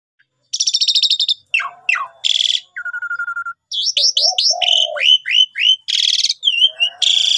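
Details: Javan pied starling singing a lure song used for trapping, a varied string of harsh buzzy bursts, rapid chatter, downslurred whistles and a low steady whistled note, with short gaps between phrases.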